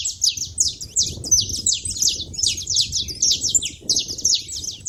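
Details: A noisy group of saffron finches at a feeder gives steady, rapid, high chirps, nearly three a second, that blend into an unbroken sharp chatter.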